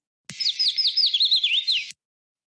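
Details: Yellow Warbler in the Boise, Idaho area sings a quick run of about seven high, sweet, down-slurred whistled notes over under two seconds, speeding slightly toward the end.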